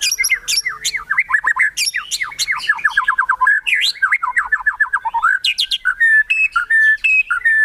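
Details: White-rumped shama, murai batu, singing kretekan to excite rivals: dense fast rattling series of slurred notes, harsh bursts and rolling trills, ending in thin high whistles.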